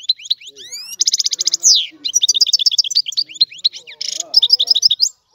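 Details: European goldfinch singing a fast, unbroken medley of high twittering notes, buzzy trills and rising slurred whistles, with dense rattling bursts near one and four seconds; faint low chatter underneath.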